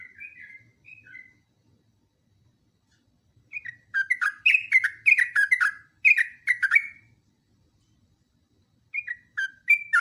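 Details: Yellow-vented bulbul long continuous song, used as a training recording: a few soft opening notes, then a dense burst of bubbly, liquid phrases with quick up-and-down slurs, a long pause, and the phrases starting again.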